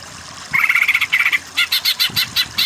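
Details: Greater green leafbird song used to train weak singers toward the kejer style: a trilled phrase breaking into a run of loud buzzy notes, repeated roughly five times a second, with soft low noise behind.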